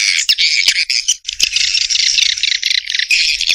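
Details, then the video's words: Swiftlet calls: a steady, harsh, high chattering torrent with a couple of brief pauses and scattered faint clicks. "SUARA WALET"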